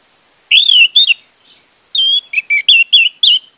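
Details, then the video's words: Orange-headed thrush singing a lure phrase for a bird that has stopped singing: a long bright whistle, a short pause, then a fast string of clear whistled notes dipping and rising. "pancingan anis merah untuk anis merah macet"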